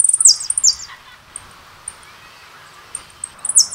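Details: Jilguero, a goldfinch-type bird kept for song contests, gives short, very high buzzy trilled phrases near the start and again at the end, with thin isolated high notes and a quiet pause between.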